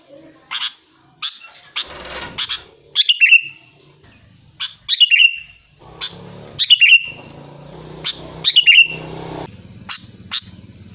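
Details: Sooty-headed bulbul singing loud, lively phrases: short bright notes ending in a falling whistled tail, repeated about every two seconds over a low background hum.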